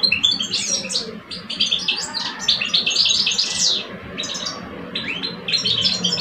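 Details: Caged European goldfinch males, an older bird and a two-year-old, compete in song in Algeria. Nearly continuous rapid twitter of tinkling, buzzy notes, slackening briefly near the middle before resuming, against a soft background hum.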